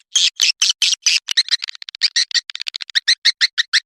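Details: Swiftlet attraction call for nesting buildings: a steady series of short, sharp, high chirps, about six to eight a second, evenly pulsed and slightly quickening toward the end.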